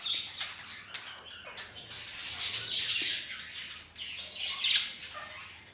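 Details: Captive budgerigars kept with ring-necked parakeets at home produce continuous high-pitched warbling and chirping, several birds calling over one another in a steady chorus.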